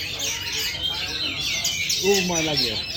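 Oriental magpie-robin giving a rapid run of high, bright chirps and whistles, with a man's voice cutting in briefly near the end.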